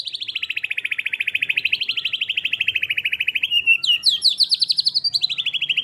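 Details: White-rumped shama singing in 'gacor full tembakan' style: a long, fast, pulsing trill that slowly drops in pitch, then breaks into higher, rising whistled notes near the end.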